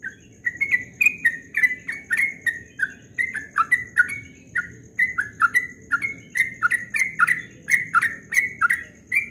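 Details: Yellow-vented bulbul singing at dawn in the rapid ropel style: a fast, unbroken run of short, loud, slurred whistles, each starting with a sharp click, some rising and some falling, with a faint steady high hum behind.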